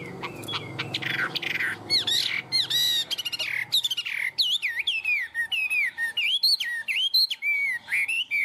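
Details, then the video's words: Tame caged Chinese hwamei, described as a strong, high-singing bird, pouring out a rich varied song: opening harsh chatter, then rapid looping whistled slurs and sharp upswept notes repeated in a tumbling stream. "Chim họa mi thuần, hót tốt, hót cao cầu"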